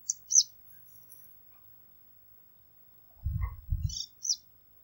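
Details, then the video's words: Bengal bush lark calling: short, high, thin chirps at the very start and again near the end, separated by a stretch of low thumping noise. "Calling Bengal Bush lark / Bush Lark the calling bird"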